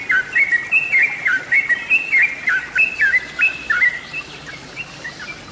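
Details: Song of the yellow-vented bulbul, made for luring: clear bubbling phrases with sharp up-and-down notes, loud for four seconds before thinning to a few faint chirps.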